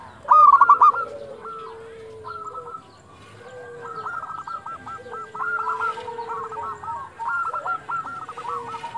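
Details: Local zebra doves calling at dusk. One loud, brief stuttering phrase opens, then several quieter doves overlap in a continuous chatter of hooked, hollow notes.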